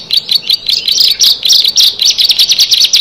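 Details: Bar-winged prinia, one of six birds, giving irregular high twittering notes that settle into quick evenly spaced sharp chirps near the end.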